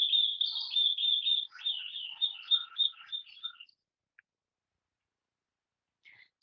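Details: A Eurasian Skylark in Hungary, a species that sings while flying high up, pours out a fast, high warbling song of trills and whistles for almost four seconds, then stops; a faint chirp follows near the end.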